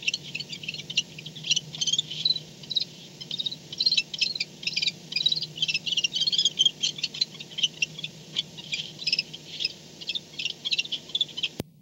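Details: Barn owl back at its nest at 4:38 am, 2-10-16, on a nest camera: continuous dense, high chittering and rasping bursts for over ten seconds, over a constant low electrical hum, ending in a sharp click.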